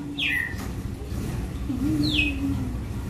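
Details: Red-cowled cardinal in the açoite song style: two sharp, falling whistled notes nearly two seconds apart, over a faint low tonal hum and background noise.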